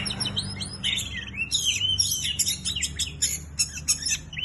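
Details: Energetic white-rumped shama song: fast high trills, sweeping whistled slurs and clipped chattering notes packed tightly together, with a faint low hum behind.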